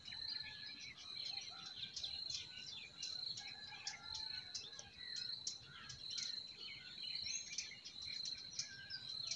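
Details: Birds sing in a spring forest, with short high chirps repeated about once a second alongside busy twittering, over a constant shrill whine.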